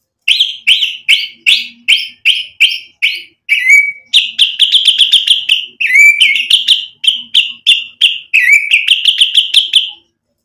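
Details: White-rumped shama singing to provoke other shamas: a long series of loud short whistled notes repeated roughly every quarter second, some doubled, in an even, insistent rhythm.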